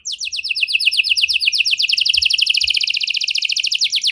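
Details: Canary singing 'cengkok mewah', a luxurious song variation used to get other canaries singing: a slower series of descending notes that speeds into a long, very rapid, even trill.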